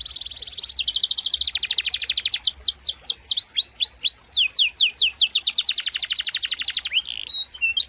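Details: Canary rolling song used as tutor material: a steady high trill, a fast pulsed roll, then a sequence of loud descending whistled sweeps before another rapid trill and a short twittered ending.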